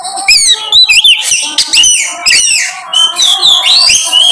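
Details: Black drongo (kacer) song used as a lure to draw out other birds' repertoire: loud, quick run of whistled slurs, upward and downward sweeps and sharp chips, delivered almost without pause.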